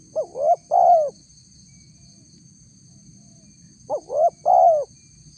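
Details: Spotted dove calling to lure wild doves, said to be a female calling the male: two clear phrases of short, short, long hollow coos, the last note sliding down, steady electronic-like whine in the background.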